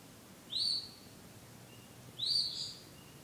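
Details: Bird singing at night, described as returning to sing love songs; two high, thin whistled notes, each sliding slightly downward, about one and a half seconds apart, over a quiet background.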